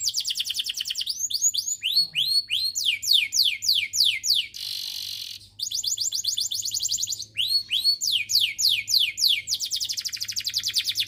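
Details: Canary song played to stimulate other canaries to sing: fast series of rising whistled sweeps and rolling trills, high and bright, repeated several times a second, broken by a brief buzzy rasp midway, with a faint low hum beneath.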